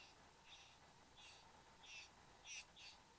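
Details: Male and female satin bowerbirds at the bower, Australia, 15 November 2014, just after 9 am. Short rasping, buzzy notes repeat roughly every two-thirds of a second against a low constant hum.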